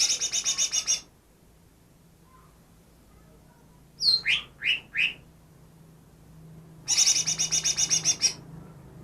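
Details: Newly captured greater green leafbird mimicking other species: a buzzy rattle, then four quick downslurred notes, then another harsh rattle of about twelve rapid notes, over a soft low background hum.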